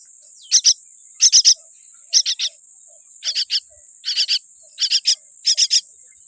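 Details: Louder series from a weak-beaked baby common myna: about eight raspy bursts of two or three clipped notes each, quickening toward the end, over a constant thin whine.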